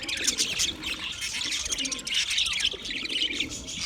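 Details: Budgies chirping together, a busy layer of bright, rapid tweets and warbling notes from several birds at once, steady throughout the short stretch.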